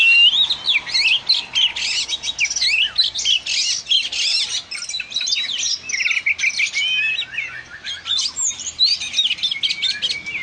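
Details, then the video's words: Energetic song of an oriental magpie-robin, a dense stream of sharp whistles, twittering notes and scratchy trills delivered almost without pause, louder at first and thinning toward the end. "dengar suara burung kacer si gacor ini"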